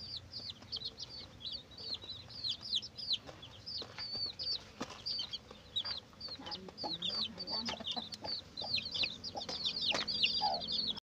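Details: Chicken chicks peeping, used as a lure for hunting civets: a dense chorus of high, short, rapidly repeated cheeps with a faint low hum underneath.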